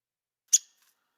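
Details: Downy woodpecker giving a single sharp, high call note with a soft edge, abrupt and very short, in an otherwise silent recording.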